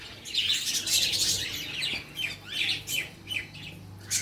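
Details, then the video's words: Chirping birds at feeding time, a flurry of bright, high tweets in quick irregular runs that swell and fade, over a faint steady low hum. "Feeding Birds | Birds Chirping"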